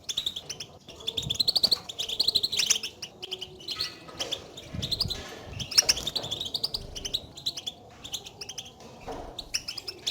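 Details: Betbeta contact calls of the European goldfinch, by which goldfinches call each other and mark their presence, used to make a silent bird sing: lively high twittering in waves, thinning toward the end.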